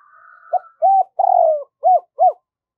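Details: Decoy spotted dove cooing in the local 'giọng thổ' style to call wild doves in: after a faint steady whistled tone, five deep, hollow coos, the middle one longer and falling, in quick succession.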